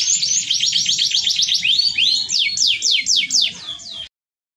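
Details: Canary in full, constant song in the ornate cengkok mewah style: fast high rolling trills of repeated downward-sweeping notes, shifting into slower, louder swept phrases before stopping abruptly, with low background rumble.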